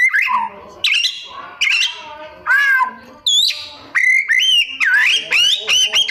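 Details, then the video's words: Oriental magpie-robin (kacer) in vigorous mimicry song: a series of separate sharp phrases, upswept whistles and buzzy arched notes, about one each second, ending in a fast warbled run. "Cara Jitu Membuat Suara Kacer Gacor Rajin Bongkar Isian - 99% Burung Kacer Isian Mewah"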